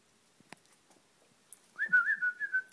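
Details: A 20-year-old pet double yellow-headed amazon, talking with its owner, gives a clear, whistle-toned talking phrase of wavering notes lasting about a second, after a quiet start with a few faint clicks.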